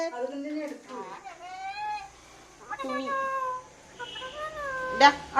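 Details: Parrot talking in a small room, with a run of speech-like harmonic phrases that glide and waver in pitch, some short and choppy, others held, ending in a sharp burst.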